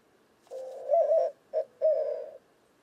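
A White-winged Dove gives a low, hooting coo phrase in three parts: a long rolling note, a short clipped hoot, then another drawn-out note.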